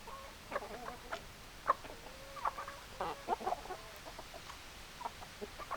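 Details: Chickens clucking: irregular short clucks and sharp notes with a brief level drawn tone near two seconds, fairly quiet background.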